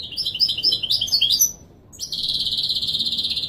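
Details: European goldfinch in Wīdānī Marrakchi song style, recorded to teach chicks to sing: a varied, liquid twittering phrase, a brief gap, then a steady buzzy high trill with an even throbbing rhythm.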